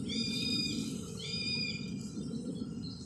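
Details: Male red-tailed hawk hunting a squirrel in J. Hood Wright Park, New York City, calling back its mate or sibling: two drawn-out, hoarse, slightly falling screams about a second apart, over a steady low city rumble.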